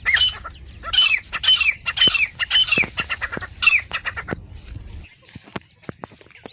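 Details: Partridge (titar), Iranian or Dhakni type, sex not stated, in a set of male and female sounds for calling and hunting. Shrill, high calls with falling notes come nearly twice a second for about five seconds, followed by scattered clicks.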